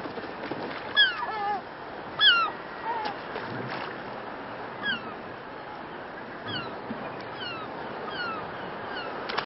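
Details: Little gull at Carlyle Lake, Illinois, on 29 January 2012, giving short, nasal, downslurred calls at an uneven pace, some in quick pairs, over a steady hiss of wind or surf.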